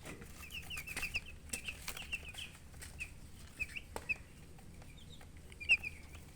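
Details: Chicks chirping, hens present: scattered short high peeping notes at irregular intervals over a low steady background hum, with occasional clicks and rustling.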